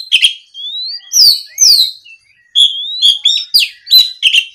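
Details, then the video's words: Oriental magpie-robin song provoked by a rival: long upward-sliding whistles, harsh buzzy downslurs and repeated sharp chirps, with one short pause midway. "SUARA BURUNG KACER GACOR NGEPLONG"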